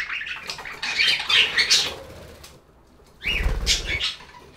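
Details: Budgies chattering in a relaxing recording: harsh, scratchy warbles and squawks, a quiet gap, then a second burst with soft low thumps like fluttering or movement.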